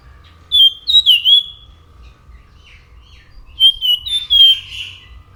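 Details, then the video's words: Anis macan thrush song: two short phrases of bright, slurred whistles about three seconds apart, the second slightly longer and more warbling. "SUARA ASLI ANIS MACAN GACOR"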